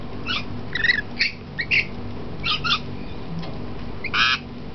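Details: Lorikeets on a hotel balcony in Port Stephens, Australia, being fed bits of cookie, giving harsh, grating screeches in short bursts, several in quick succession and a louder one near the end, over a low background hum.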